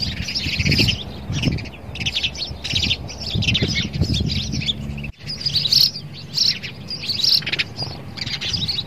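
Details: A male sparrow battles his mirror image, calling with loud, clustered high chirps in bursts, broken by dull thuds, one brief silent gap, then livelier chirping.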